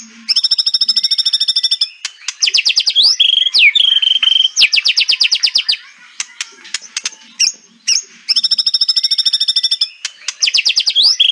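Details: Kretekan song of a white-rumped shama: long bursts of very rapid, high clattering notes alternating with short whistled slurs and scattered chips, repeated in loud phrases.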